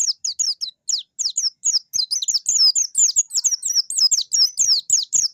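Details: White-eye rolling song, sung while seeking a rival: fast series of high, thin downslurred whistles and chips, repeated several times per second and building into a dense, excited twitter.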